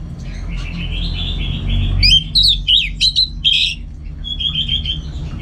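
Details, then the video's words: Kept Orange-headed thrush in Singaraja, North Bali, prepared for contests: a soft continuous warble, then loud, sharp, twisting whistled phrases and a closing softer trill, over a low steady hum. "Super Kicauan ANIS MERAH Gacor"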